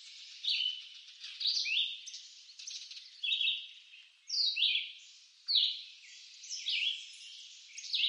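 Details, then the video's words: Red-eyed vireo song from eastern North American woods: a string of brief, bright whistled phrases with sharp up-and-down slurs, spaced roughly a second apart, each trailing a soft reverberation. "Red-eyed Vireo Bird Song"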